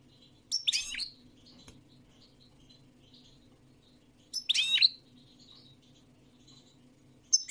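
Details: European goldfinch song in two lively bursts of rapid, high, liquid twitters several seconds apart, then a third note at the end, over quiet pauses with a faint low hum.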